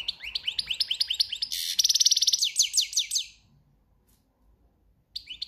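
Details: Cante campero song of a breeding-season European goldfinch: a run of rising, tinkling notes into a loud buzzy rattle, then more rapid slurred twitters, then a pause and a fresh start.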